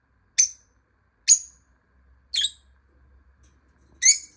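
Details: Lovebird giving shrill, piercing chirps while a hidden bird is being located by sound, four short squeaky calls spaced about one second apart, each with a quick falling tail, in otherwise quiet surroundings.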